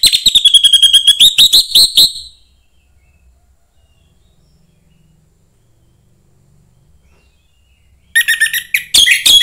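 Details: Orange-headed thrush, young bird from the forest, singing to stimulate others: a two-second run of fast repeated whistled notes, then silence, then a harsher, jumbled burst of notes.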